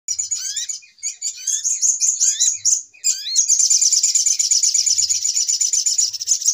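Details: Little spiderhunter lure sound used to attract birds for trapping: high, dense chattering trills with short rising whistled notes, becoming a continuous rapid buzzy trill in the second half.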